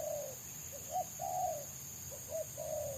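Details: Wild spotted dove valued by trappers for its fast, close-set 'selang nguku' song. Soft hollow coos in short pairs, the longer notes slightly falling, over background rumble and a persistent high-pitched whine.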